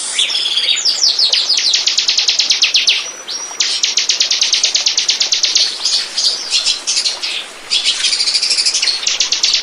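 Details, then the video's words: Lure recording of bar-winged prinia for attracting birds: rapid, high, metallic note series in long trills, broken by brief pauses and a thin sustained whistle, then more fast repeated notes. "burung ciblek pancingan"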